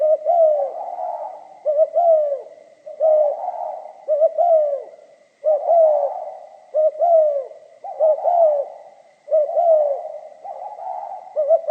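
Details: Spotted dove singing giọng pha kim in a steady series of about nine cooing phrases, each a clipped double note then a longer descending coo, repeated roughly every one to one and a half seconds.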